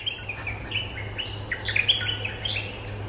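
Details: Streak-eared bulbul, a territory holder answering lure calls and arguing back at every note: a run of short, bright, chattering notes, some rising and some falling, closely bunched through the middle, over a low steady hum.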